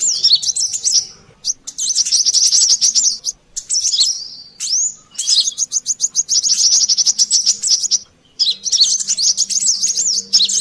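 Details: Brown-throated sunbird, known locally as kolibri klapa or sogon, in a noisy lure recording: bursts of thin, high chirps and rapid jangling trills, broken by short silences, over a faint low hum.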